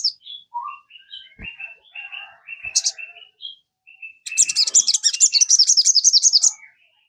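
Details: Sogon song used as a lure to get a kept bird singing: scattered short whistled notes at varied pitches, then a fast, high, buzzy chattering trill lasting about two seconds before fading.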